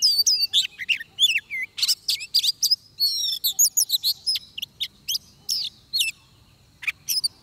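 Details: Oriental magpie-robin singing at a trapping site: continuous, rich song of varied whistles, slurred rising and falling notes and sharp chirps, delivered in rapid phrases with short pauses.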